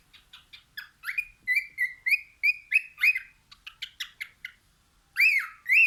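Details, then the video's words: Cockatiel gazing out a window: a rapid run of soft chirps builds into clear whistled notes sliding up and holding, then a few quick ticks and two loud arching calls. "Bird sings looking out the window"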